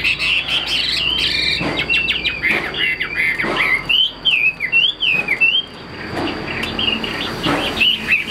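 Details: Caged Chinese hwamei singing bursts of rapid whistled notes and a series of looping slurred whistles, with clicking and knocking noises between the phrases.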